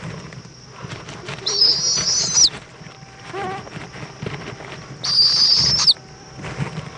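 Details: Owl at a nest in Indiantown, Florida, 7:20 pm on February 11, 2014, as the mother returns with a bug for her chick: two harsh, hissing screeches about a second long each, separated by quieter rustling.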